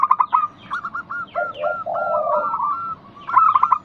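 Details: Local zebra dove lure song meant to set other doves calling: a quick stutter, a run of even notes, then a low burring coo, and another stutter to close, faint chirps of other birds audible.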